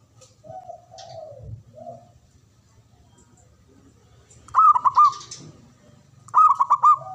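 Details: Local male zebra dove (perkutut) cooing: soft, lower, drawn-out coos first, then two loud, fast-stuttered phrases of bubbling hoots about two seconds apart, over a low background hum.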